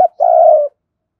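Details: Spotted dove used as a decoy for wild doves: a brief clipped note, then one steady, drawn-out low coo lasting about half a second.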